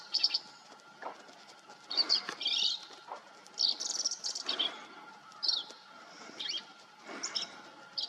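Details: Green-tailed Towhee, recorded in Texas or New Mexico, gives brief, sharp, high chirps and chip calls about once a second over a faint steady hum; the species is often heard before being seen while foraging in brush.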